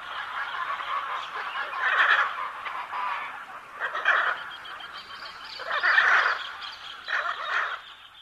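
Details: Macaw uttering loud, hoarse squawks every second or two over a background of softer raspy calling, the outbursts rough and broad.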